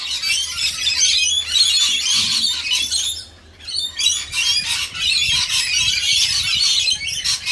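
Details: Shrill chattering squawks from many rainbow lorikeets while they are fed, a near-constant chorus broken by a short quiet gap around the middle.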